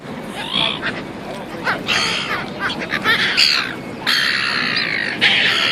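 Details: Gulls in Auckland, New Zealand, giving harsh, raspy squawks in uneven bursts, several overlapping, with a long drawn-out scream near the end and steady background hiss.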